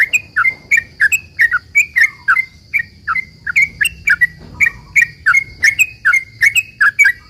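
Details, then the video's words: Sooty-headed bulbul delivering fast 'ropel panjang' song as a lure to set other bulbuls singing: an unbroken run of crisp, slightly downslurred chirps about three per second, with a faint steady whine and low background hum. "trucukan gacor ROPEL PANJANG ini buat pancingan trucukan agar bunyi"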